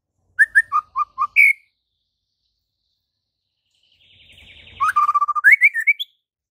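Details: Vigorous white-rumped shama song for training reluctant singers: a phrase of clipped notes stepping down to a high final whistle, a long pause, then a rapid, dense warbling trill that climbs through repeated notes to a higher ending.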